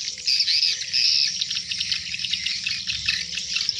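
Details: At dusk, hundreds of swiftlets fly into their nest site, producing a continuous shrill twittering buzz with a couple of sharp squeaky notes early on.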